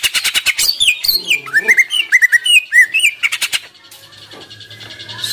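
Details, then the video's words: Greater green leafbird in full, lively song, used as a lure to stir leafbirds lacking drive or fight into singing: rapid dry clicking bursts, then slurred whistled notes rising and falling, fading to a quieter hum at the end. "CUCAK IJO GACOR !! COCOK BUAT PANCINGAN CUCAK IJO KURANG NGOTOT / TARUNG"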